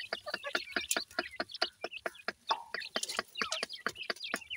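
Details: Grey francolin (dakhni teetar) chicks while feeding: a busy stream of short, high, upslurred peeps and chirps from several birds, irregular and overlapping, mixed with sharp clicking taps throughout.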